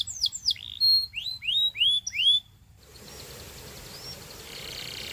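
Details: Song of a Belgian canary: clear, upward-curving whistled notes repeated about twice a second for a couple of seconds, followed by near silence with a faint distant note.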